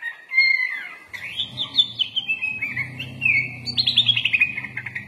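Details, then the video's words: Sooty-headed bulbul (kutilang) in full isian song: sliding whistles and quick chirped phrases rising and falling in pitch, over a steady low hum. "MASTERAN BURUNG KUTILANG FULL ISIAN LENGKAP"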